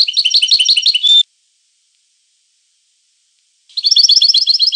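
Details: Bursts of rapid tinkling twitter from a European goldfinch, the first ending on a clear level whistle, then silence before another fast chattering phrase.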